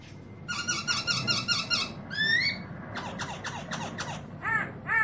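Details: Black-throated laughingthrush song from 2017 with its tail spread: rapid buzzy trilled bursts, a rising whistled sweep, then quick falling notes, heard over a loud rumbling background noise.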